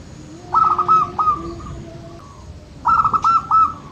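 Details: Local zebra dove, played to encourage birds that seldom sing, delivers two phrases of rapid, bubbly coo notes, the first with a drawn-out ending note, separated by about two seconds of quiet hum.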